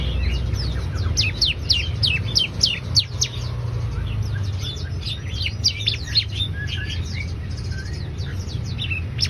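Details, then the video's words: Ciblek (bar-winged prinia) in full lively song: dense runs of thin, high chirps and downward-sweeping tweets in uneven bursts, with a constant low hum beneath. "Ciblek daput gacor"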